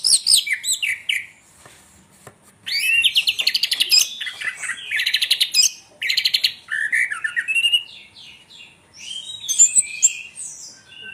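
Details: Orange-headed thrush, called anis merah tengleng, singing a varied, rapid phrase of sweet whistles and dense chattering trills, broken by short pauses, with bursts of bright high notes in the later part.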